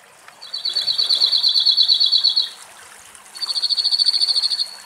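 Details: Cirl bunting in a shady Greek forest with a running spring at hot midday singing two flat, dry rattling trills of rapidly repeated high notes, each lasting about one to two seconds, with a short pause between them.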